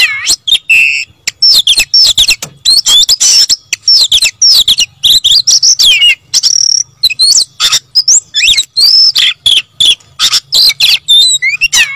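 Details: Oriental magpie-robin in energetic gacor ngotot song, a long unbroken stream of high whistled slurs, upswept and downswept notes and harsh chattering bursts.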